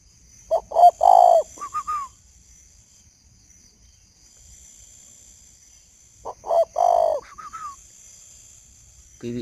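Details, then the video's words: Spotted dove cooing at 11 p.m. in northern Vietnam, a male kept with a decoy bird: two repeated phrases about six seconds apart, each several low hoarse coos ending in a drawn-out purr, followed by short rising whistles. "Nửa đêm chim cu vẫn gáy"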